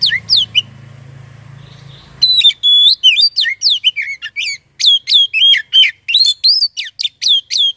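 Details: Kacer song, the Oriental magpie-robin, played to trigger singing: two downslurred whistles, a low hum for a moment, then a long energetic stream of sharp whistled and chattering notes at about three per second.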